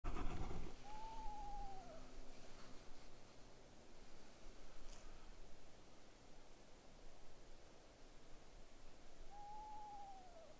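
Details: Eastern screech owl giving a clear, mellow whistle that slides gently downward and lasts about a second, repeated once after a long pause of roughly eight seconds, in a quiet setting with a brief rustle at the start.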